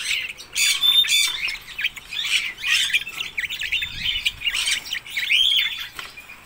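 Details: Lively chirping and warbling from red-rumped parrots, quick twittered notes and brief whistles in busy, irregular bursts.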